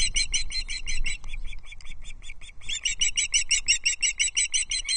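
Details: Young Ospreys on a Loch Arkaig nest, 13 June 2024, with sibling aggression at a trout delivery. Shrill chirps are repeated quickly and evenly, briefly thinning before resuming in a steady, insistent series.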